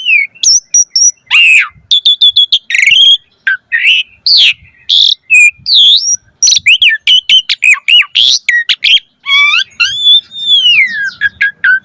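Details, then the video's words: Asian pied starling, 'mompa' full-variation lure song for getting caged starlings singing: a long, dense, fast medley of sharp whistles, rasping bursts and chattering notes, ending in a drawn-out wavering whistle. "Pancingan Jalak Suren Full Variasi Mompa - Masteran Suara Burung Jalak Agar Gacor Full Isian Mewah"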